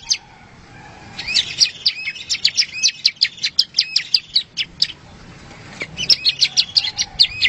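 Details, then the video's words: Bar-winged prinia song used as a master recording for training competition songbirds: bursts of sharp high chirps repeated in a quick run, pausing near five seconds before resuming, over faint low background rumble. "SUARA BURUNG PRENJAK YANG SELALU BIKIN JUARA 1"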